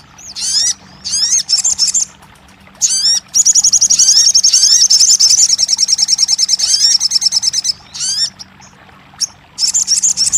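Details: Crested jay used to coax a silent bird into song. Clusters of sharp downslurred whistles, then a long high buzzing trill of rapid repeated notes, ending with further short bursts.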